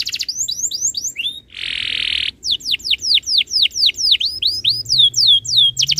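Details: Canary tutor song, used to get other canaries singing: a loud series of quick whistled sweeps, a harsh buzzy note lasting about a second, then a long run of falling, slurred whistles in steady succession.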